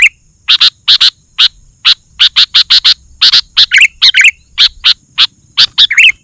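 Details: Sooty-headed bulbul in full song, used as a lure for wild bulbuls: long run of sharp harsh chips spaced roughly half a second apart, broken by a few liquid, slurred whistled notes.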